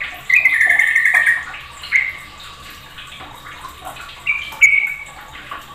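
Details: Sooty-headed bulbul chatter as other bulbuls are stirred into calling. A long buzzy run opens the clip, followed by scattered shorter notes and a brief rattled phrase near the end.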